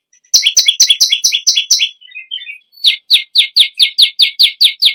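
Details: Rapid strings of piercing chirps from a bar-winged prinia, broken by a few softer, lower twittering notes. A slower, more spaced series of sweeping notes follows, each repeated roughly every third of a second.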